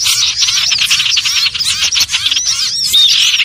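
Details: Common iora (sirtu/cipoh) lure recording used for bird trapping: a dense, continuous chatter of many rapid high chirps and short upward whistles overlapping without pause.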